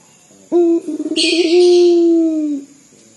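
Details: A loud local puter dove sounds as if crying: one deep note, a rapid tremolo of pulses, then a long steady mournful tone ending in a slight drop, overlaid briefly by a hissing noise.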